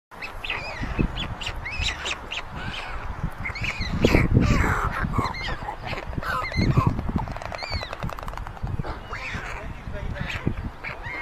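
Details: White stork chicks at a chimney-top nest in Ságvár, Hungary, among meadows and wetlands, on May 22, 2024, as older siblings steal food from the youngest; rapid, irregular nasal wavering calls overlap continuously over a low rumbling background.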